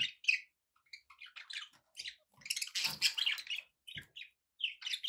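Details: Pet budgies in busy, rapid chatter: many short warbled and squeaky notes run together, with a denser scratchy burst midway and a few soft knocks beneath.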